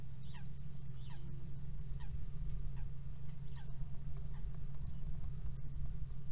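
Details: Two common kestrels together at a nest box on the morning of 22 March 2018, 08:52; about eight to ten thin, steeply descending squeaky notes, spaced irregularly through the clip, against a constant low mechanical hum.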